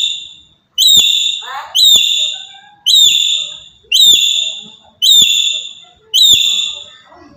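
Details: Loud provoking calls of a black-capped lory from Papua: six strident, harmonic whistled notes repeated about once a second, each a brief upward flick then a steady ringing tone fading away; faint soft chirps between.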